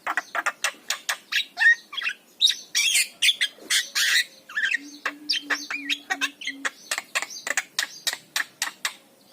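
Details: ['Javan myna song, a master recording used to rouse quiet mynas: dense, fast sequence of sharp clicks, rasping squawks and brief whistles, near-continuous chatter over a faint hum.']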